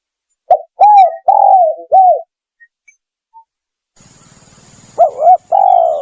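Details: Spotted dove lure call: one phrase of low arched coos, a pause, then a steady high electronic whine and rattling hum before the coos resume, partly overlapping.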